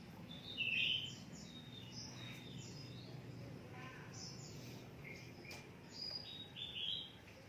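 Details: Caged oriental magpie-robin, kept and prepared for songbird contests, sings several short whistled phrases, some thin and high, others sweeping and rising. There is a louder burst near the start and another near the end. Steady low background hum.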